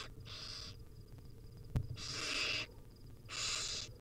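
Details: Hungry wild barn owl chicks begging as their mother feeds them at the nest: broad, breathy hisses, one long and two shorter, with a brief click between and faint background hum.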